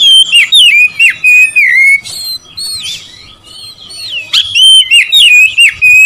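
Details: Oriental magpie-robin song used to stir up rivals: rapid, loud whistled phrases with bending, slurred notes and crisp chips, a short quieter lull, then more energetic whistling.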